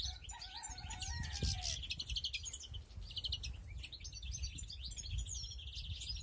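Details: In a breeding aviary in 2021, European greenfinches keep up dense high chirping and twitters, opening with lower whistled notes that fall in pitch.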